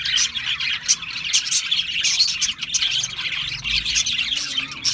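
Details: Budgerigars, also called parakeets, keeping up lively, overlapping high chirps and scratchy warbles, loud and without breaks.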